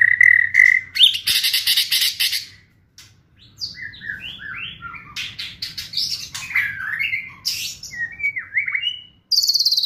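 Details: White-rumped shama in full song for a provoking kretekan: whistled notes, a dense burst of buzzy rattles, then a long run of varied, quick, tumbling whistled phrases, ending on a high sustained note.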